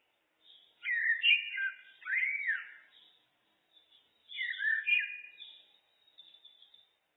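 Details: Blackbird song, looped: two melodious phrases of rich, rounded whistles that swoop up and down, each ending in a softer squeaky flourish, separated by a brief quiet gap.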